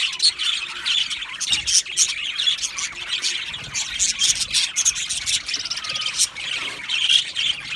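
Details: Colony of budgies in an aviary chirping and warbling together, steady loud high twittering with rapid pulsed notes and occasional squawks running through the whole stretch.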